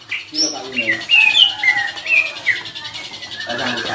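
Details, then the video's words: Greater green leafbird in full song, a bird kept to spur other leafbirds into singing, delivering clear slurred whistles and short downward notes in a loose series, with a faint steady hum behind. "CUCAK IJO GACOR !! COCOK BUAT PANCINGAN CUCAK IJO KURANG NGOTOT / TARUNG"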